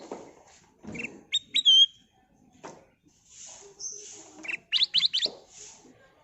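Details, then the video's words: ['Kutilang emas bulbul singing a lure song. Sharp whistled notes end in a falling slur, followed later by a quick run of rising chirps. Faint background noise.'] "Kicau Burung Kutilang Emas Gacor full isian suara pikat"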